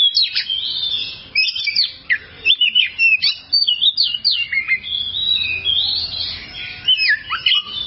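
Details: Oriental magpie-robin (kacer) song in a long training recording for cage birds: energetic, varied whistled phrases with rapid zigzag notes and slurs, nearly continuous with brief breaks.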